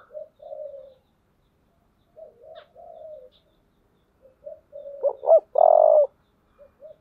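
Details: Spotted dove calling in the 'giọng thổ' voice style, a call used to provoke fighting: soft, low wavering coos, then two short hooked notes and a loud, drawn-out steady coo, followed by faint quiet coos.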